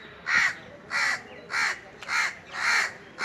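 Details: Indian crows high in a tree during the summer season give six coarse, rapid caws in just over three seconds, each short and raspy.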